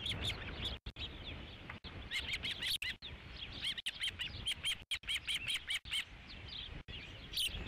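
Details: Ospreys at the Dunrovin Ranch nest on 3 July 2016, during the fifth fish delivery: sharp whistled chirps in rapid repeated bursts, rising and falling, over steady low background rumble.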